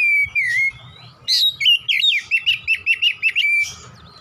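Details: Oriental magpie-robin singing in nembak style: a long level whistle, then a rapid string of about ten loud, looping whistled notes, closing with a steady whistle and soft chirps.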